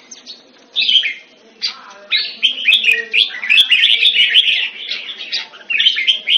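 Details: Hobby-kept red-whiskered bulbul, or jambul, begins with a few scattered notes, then breaks into rapid, busy warbling of twittering phrases, with a low background hum.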